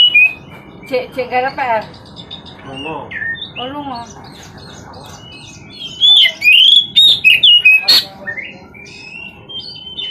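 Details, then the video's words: Caged Oriental magpie-robin singing continuously without pause, used as therapy to make other birds sing: varied whistled phrases, rapid buzzy rattling trills, rising and falling slurred notes, with a steady low background hum. "terapi burung kacer agar gacor tanpa jeda"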